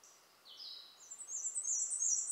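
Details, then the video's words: Black-and-white warbler singing at Fants Grove WMA, South Carolina: thin, very high squeaky notes, starting lower then climbing into a fast, sibilant string of repeated high phrases, over a quiet background. "Black-and-white Warbler singing"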